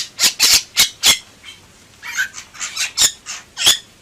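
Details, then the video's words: Bali myna in vigorous gacor singing: loud harsh squawking notes in quick bursts, several rasping calls and a few brief whistled inflections, delivered in an uneven chattering run. "Suara Burung Jalak Bali Gacor"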